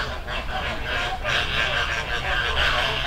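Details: Flamingo flock in a river, Dominican Republic: brief burst of loud nasal honking from many birds, growing slightly louder after the first second, with low rumble beneath.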